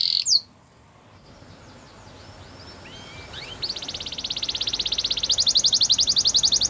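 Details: Canary training song starting faint and soft amid background hiss, with a few quiet slurred notes before a fast, high, pulsing trill grows steadily louder to the end.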